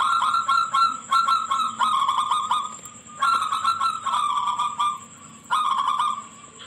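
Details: A local Zebra dove with a shrill voice gives rapid stuttering coos in bursts of a few seconds over a faint steady high hiss; recording meant as a lure to prompt other zebra doves to answer and coo regularly.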